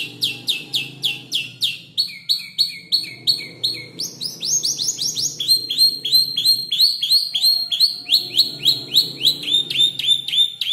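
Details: Canary about five months old, learning to arrange its song from tutor birds' voices, including bar-winged prinia, 'klik-klik' and olive-backed tailorbird phrases; rapid repeated high chirped syllables, several per second, shifting through distinct phrase types.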